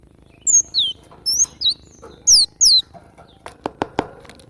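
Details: Cinereous tit, a cage-bird training recording: a run of bright, sharply falling whistled notes in quick pairs, followed by a few dry knocking clicks at the end.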